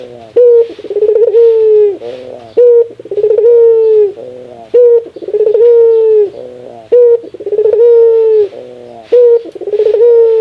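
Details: Rare laughing call of a ringneck dove, repeated steadily about every two seconds. Choppy, rattling bursts of notes alternate with long, smooth, hollow coos, with little background noise.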